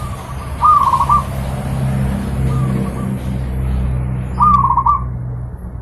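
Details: Zebra dove song as training material for pet birds: two strong cooing phrases nearly four seconds apart with a faint one between, each a rising note and rolling coos, over low rumbling hum.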